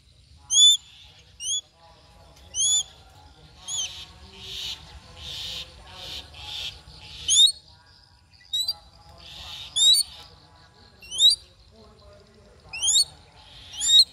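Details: Crested goshawk while hunting: loud, shrill, rising whistled squeals with a harmonic ring, repeated roughly every one to one and a half seconds, with bursts of buzzy chattering between calls around the middle and later in the recording.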